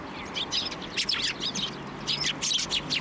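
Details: Several sparrows climbing onto a hand for food at a Tenmangu shrine, New Year's Day 2024, give busy, overlapping high chirps nonstop for three seconds.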